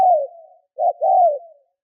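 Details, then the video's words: Lure spotted dove giving a gù, or provoking coo, meant to draw wild birds: a long, soft, downward-sliding coo, then a brief note and another drawn-out coo that fades lower. "CU GÁY MỒI THÚC GÙ KÍCH BỔI NHANH NỔI - TIẾNG CHIM CU GÁY KÍCH BỔI"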